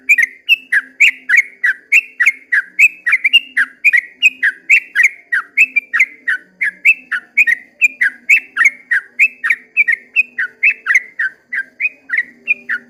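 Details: Sooty-headed bulbul delivering an extended 'ropel' song at dawn, a long unbroken chain of bright, bubbling whistled notes at a fast, steady pace of around three or four per second, over faint low droning.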